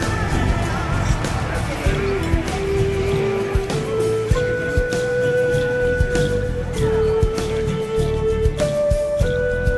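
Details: Steady melodic music with sustained flute-like tones over a low rumble, possibly a vehicle, and no animal voices.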